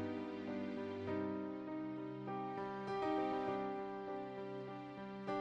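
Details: Soft, slow piano music with sustained tender chords and gentle melodic notes, with no animal sound heard.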